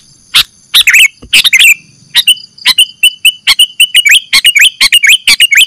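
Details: Sooty-headed bulbul calls in a lure recording used for catching birds: sharp broadband chirps followed by rapid repeated bubbly notes that dip and rise, delivered at a quickening pace toward the end.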